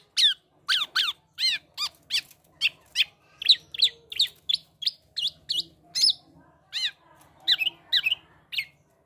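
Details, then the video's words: Male black-naped oriole in energetic mimicking song: clean, sharply arched chirps repeated at a steady pace of roughly two per second, shifting pitch and shape partway through, against a quiet background. "Gocor Aneh Kepodang Emas,Bisa Menirukan Suara Burung Lain."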